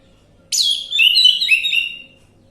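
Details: Lure recording of an orange-headed thrush meant to get a bird that has stopped singing to respond: a sharp high onset, then a run of slurred whistled notes lasting about a second and a half, with a quiet background.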